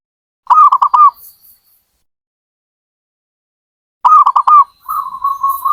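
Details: Zebra dove giving two loud phrases of rapid, staccato cooing notes separated by a long pause. A steady, rolling coo trails on after the second phrase.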